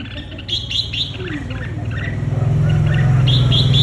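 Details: Red-whiskered bulbul, excited and singing vigorously, gives short, bright chirping phrases in quick succession over a strong low hum that swells toward the end.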